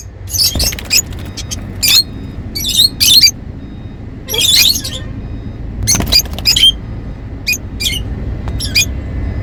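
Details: Happy lovebirds chattering: irregular bursts of piercing high squawks and chirps, some longer rasping clusters, with quiet low hum between calls.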